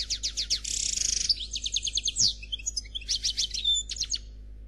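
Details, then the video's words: Flawless European goldfinch song of the Noir Khalwi type: continuous quick high chirps, a long buzzy trill, sweeping slurred notes and tinkling twitters, each element repeated several times. "Chardonneret Noir Khalwi Chant sans fautes"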